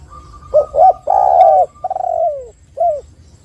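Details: Spotted dove (tekukur) lure call to draw others into calling: two soft hooting notes, a loud drawn-out coo, a purring trailing coo that slides downward, then a final short coo; faint steady whistle-like tone behind.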